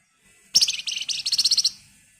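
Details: A single dense burst of agitated flamboyan bird song, used to spur other birds to sing: about fifteen rapid, shrill, buzzy notes in just over a second, starting with a sharp attack and fading out.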